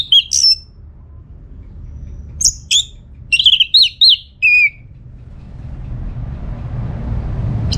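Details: Lively orange-headed thrush song, played to lure answering birds. Scattered high whistles, then a quick run of descending, slurred notes, followed by quiet and rising background hiss.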